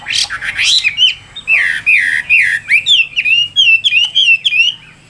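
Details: Chinese hwamei kept in a cage in Vietnam, delivering a loud, rich whistled song of slurred notes that dip and rise, tumbling rapidly one after another in a continuous rollicking stream.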